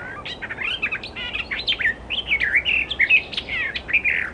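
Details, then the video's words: Wild Icterine Warbler in loud, continuous song: rapid mixed phrases of chirps, slurred whistles and buzzy notes tumbling one after another with hardly a break, clean background. "Burung Kicau Alam Liar (Icterine Warbler birds )Burung Icterine Warbler-Burung Kicau"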